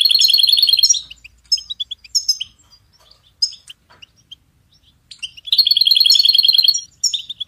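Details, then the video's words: European goldfinch song for songbird training: a fast rolling trill, scattered chirps and single notes, then another long bright rolling trill and a short closing twitter. "Goldfinch ringtones for hunting and high motivation"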